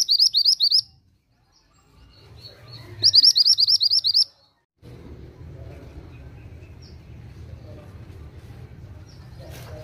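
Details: Oriental magpie-robin singing vigorously in two quick bursts of high, repeated, upslurred chirps, followed by several seconds of steady low background noise.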